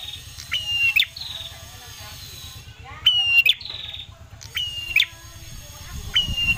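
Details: Ashy tailorbird lure song meant to make birds sing. Level whistled phrases with quick trilled endings recur about four times, with some buzzy notes and low rumbling background noise.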